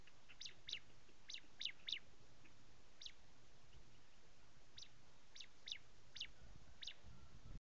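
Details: A prinia repeating short, sharp high chirps, sometimes doubled, in irregular bursts over a low hiss, with a brief rumble at the end.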